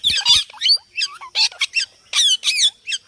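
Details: Parrot chattering in quick harsh squawks and squeaky rising notes, about two and a half per second, irregular and loud, with a brief low thump at the start.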